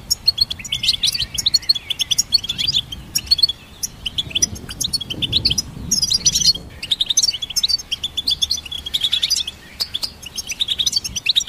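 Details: Goldfinch hybrid, recorded to support and train songbirds, pouring out continuous twittering song of clipped chirps, buzzy trills and rising slurs, nearly unbroken across eleven seconds with a faint low hum.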